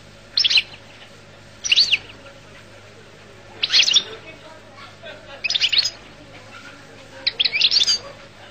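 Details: Goldfinch, Collo (القل) type, producing short separate bursts of high buzzy twitter roughly every two seconds, with a faint background hum.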